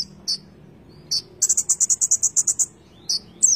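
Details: Energetic Konin song with isolated sharp high chips, then a fast run of about ten bright buzzy notes, followed by more separated descending chips over a quiet low hum.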